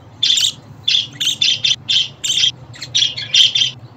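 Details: Budgerigar chirping to get a pet budgie singing: about ten bright, raspy notes in close succession, some doubled, spread across four seconds.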